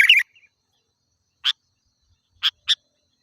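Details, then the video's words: Sooty-headed bulbul recording meant to draw in wild birds: a brief harsh chatter opens, then three clipped, bright chip notes, the last two close together. "Suara Burung Kutilang Gacor"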